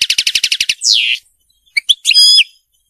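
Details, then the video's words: European goldfinch song from a captive tutoring recording. A quick series of about eight clipped chirps, then a long descending slurred whistle, a short pause, and two sharp notes before a brief buzzy trill. "تحفيظ طائر الحسون الملكي التغريد (المقنين)"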